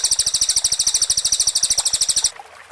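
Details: Cililin singing its close, rapid-fire shooting phrase, recorded clean for shama training: a shrill, evenly pulsed high trill that runs for over two seconds, then stops abruptly, leaving faint background.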